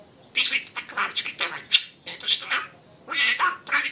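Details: Indoor pet budgerigar chattering speech imitations, steady streams of scratchy, squeaky high syllables broken by two short pauses.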